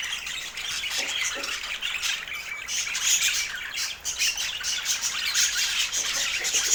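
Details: Continuous budgerigar chattering, a dense mix of high scratchy squawks and quick chirps with few pauses and a hissy background.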